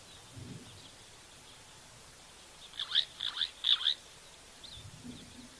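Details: At an African waterhole on 1 June 2024, birds sitting in shady trees chatter. A starling, one of plenty around, gives four quick raspy, harsh notes in a burst of about a second, over a low outdoor hum.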